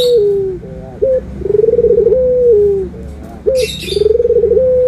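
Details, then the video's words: Loud, close anggungan cooing of a puter, the Barbary dove, in a white-versus-brown comparison: short hooked notes, then pulsing trilled coos that smooth into long level tones, cycling about every two seconds; a brief rustle midway. "PERBEDAAN SUARA ANGGUNGAN BURUNG PUTER PUTIH DENGAN PUTER COKLAT"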